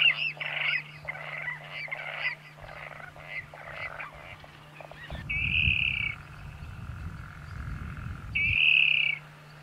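A water rail gives a quick series of harsh, grunting squeals, then two drawn-out, piercing squeals, over a steady low hum and some rumbling noise.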